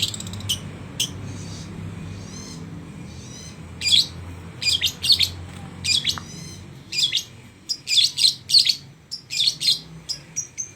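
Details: Long-tailed shrike mimicking a lovebird: loud, sharp, high chirps and clicks given singly and in quick clusters, with short quiet gaps between bursts.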